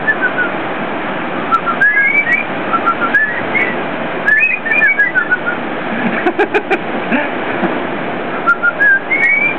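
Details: Whistling parrots performing in a beach restaurant: bright rising and slurred whistles in bursts, a run of quick clicks or taps midway, steady crowd-like murmur throughout.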